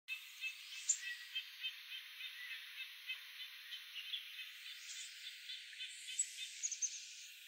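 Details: Townsend's warbler, recorded on 10 October 2012, gives thin, sharp high chip notes, two or three a second at an uneven pace, over a steady background hiss.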